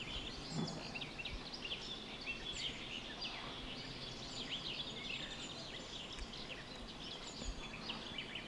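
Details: House sparrows, a male among them, in a garden: a dense stream of overlapping short chirps and cheeps, sounding like several birds calling at once, heard over steady background noise.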